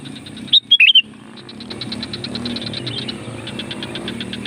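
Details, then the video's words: Sooty-headed bulbul song for luring wild birds: one quick bubbly whistled phrase near the start. A long stretch of steady pulsed chatter and low rumbling noise follows. "SUARA BURUNG CUKUP AMPUH UNTUK PANGGILAN KUTILANG LIAR"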